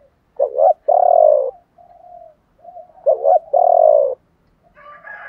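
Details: Spotted dove song in the chieu ba hau style, male and female birds, used to spur other doves into singing: two deep phrases of a short wavering double note and a drawn-out coo, with faint murmurs between and a brief chirp at the end.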